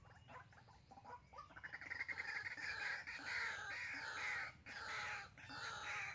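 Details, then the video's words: White-breasted waterhen decoy bird calling during waterhen trapping in Sóc Trăng, Vietnam, on 2 February 2021: harsh, croaking notes that build into a loud, rapidly repeated, roughly even series, with brief breaks near the end. "Bẫy Quốc Mồi Sóc Trăng"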